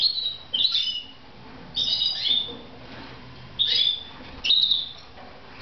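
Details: Red mosaic canaries kept as pets in Moudania give bright, short chirped notes high in pitch, in four separate bursts about a second apart, with quiet pauses between them.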